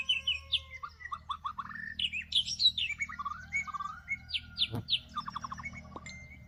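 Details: In northwest Vietnam, white-rumped shamas fighting at a trapping site pour out rich varied song: clear whistles, rapid descending note runs and sharp upslurred chips in dense alternating bursts. A thud sounds near the end.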